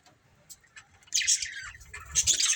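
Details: Budgerigars of a breeding pair, quiet at first, then a sudden burst of bright, high scratchy chirps.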